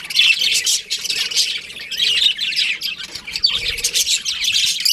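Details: Many baby budgies in an aviary keep up a constant high-pitched chatter of scratchy chirps, rising and falling in loudness roughly every second or two.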